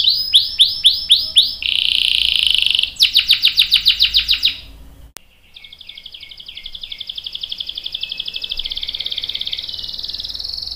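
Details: Canary song used as a lure for other canaries: repeated swooping notes, a buzzy roll and a hard rattling trill, then a short break before a long, fast, even roll builds in loudness.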